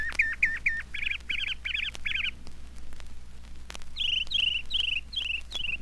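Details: Northern Mockingbird of Florida, a mimic of other birds' calls and surrounding sounds, singing through the night: a series of rapid, repeated buzzy chirps, then a separate run of five clear downslurred notes, over low hum and clicks.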